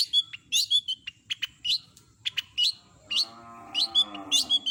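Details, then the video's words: Long-tailed shrike in full imitative song. Quick, sharp, varied chips and short whistles run in a rapid series, then a low, drawn-out harmonic moan, like a cow's low, rises under renewed high notes. "Masteran burung CENDET gacor isian lengkap kompilasi jos suara jernih"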